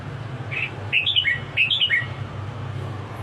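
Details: Red-whiskered bulbul singing a short phrase of clear whistled notes, rising then dropping in quick steps, given once near the middle; steady low hum underneath.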